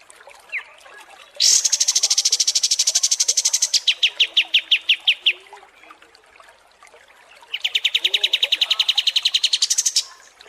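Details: Kapas tembak, the Pied Triller, in training audio for competition birds: a bright high rattling trill, slower separate notes, a quiet gap, then another quick rolling trill of evenly repeated notes.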